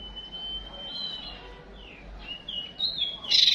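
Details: Female white-rumped shama used as a lure to rouse males for fighting: a long steady whistle, then several short whistled slurs rising and falling, ending in a loud harsh burst over a faint hiss.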